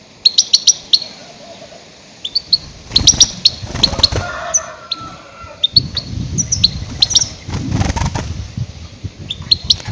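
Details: Lure calls of a goldfinch, used for catching grey-headed goldfinches: thin, high chirps and twitters scattered through the recording over noticeable low-pitched rumble and handling-like noise.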